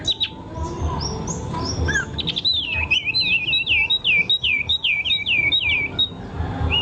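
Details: Bird song in a series of clear whistled, sweeping notes, each falling then rising, repeated rapidly in a long run after a few higher thin notes at the start; low background rumble throughout.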